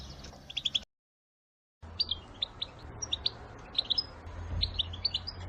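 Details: Female European goldfinches in a group give batbata calls meant to excite males into singing: short, high chirps in quick clusters, broken by a brief full silence, then scattered sharp chirps over a low rumbling background.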